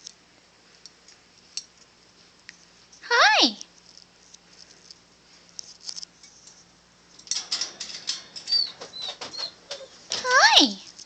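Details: A female bare-eyed cockatoo, just one year old, says "hi" twice, each a loud, harsh, falling word about seven seconds apart, with quieter chatter and a person's voice between.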